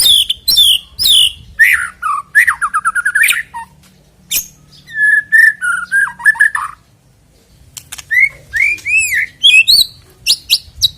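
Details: White-rumped shama, a caged songbird, song used to prompt singing before a contest: loud varied whistled phrases, rapid chattering trills and rising slurred notes in bursts separated by short pauses.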